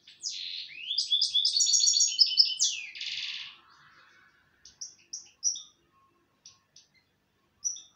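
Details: Rapid liquid twittering from a European goldfinch, ending in a harsh buzzy note, then a pause and several isolated high chirps scattered over the remaining seconds.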